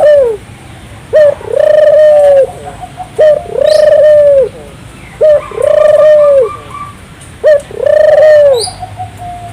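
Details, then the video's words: Turtle dove cooing persistently as a lure for local doves: five regular phrases, each a clipped note then a prolonged smooth coo, spaced about two seconds apart, with a few faint high chirps. "suara burung puter gacor, merangsang burung puter lokal ikut gacor"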